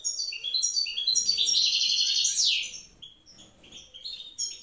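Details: Wild European goldfinch pair in the evening with the female incubating eggs; chirping high notes lead into a dense buzzy twittering burst, followed by quieter scattered chirps.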